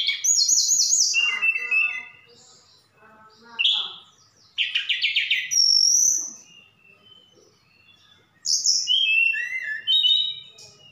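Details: Javan bush lark from Sukabumi in full song, mixing in copied phrases of cililin and sikatan londo; fast high trills and buzzy rattles alternate with clear whistles and short gaps of near silence.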